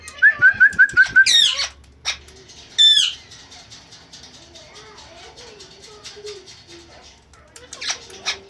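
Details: Talking pet parrot known for saying Mitho, Put and meow; a run of five quick clipped repeated notes, then squeaky rising syllables and a wavering call, followed by softer low mutterings and a few faint squeaks.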